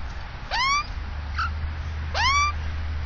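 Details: At a nest in a tree two metres from a house in south-east Melbourne, Victoria, an Australian magpie with chicks gives two loud upward-sliding calls with a faint softer note between them, backed by a low hum.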